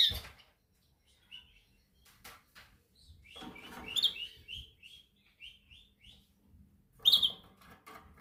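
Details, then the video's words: Canary in singing training, practising its song: a fast run of evenly repeated high whistled notes, about a dozen in a row, framed by sharp bright chirps at the start and end. "Your canary sings immediately when he listens to this canary singing"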